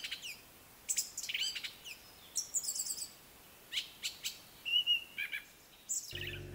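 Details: Song thrush, a common bird in Ireland, sings its complex song of bright, varied phrases of clear and scratchy notes, some repeated two or three times, before a short low noise cuts in.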